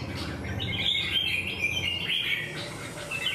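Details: Wild-caught red-whiskered bulbul, flared up stiffly while competing in a fight, gives a continuous run of bright, chattering warbled notes with quick pitch jumps, steady for over three seconds above a low background hum.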